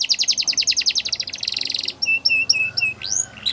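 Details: A Yorkshire canary sings a training song for young canaries: a fast run of bright repeated notes, a brief buzzy roll, then spaced whistled chips and a rising sweep.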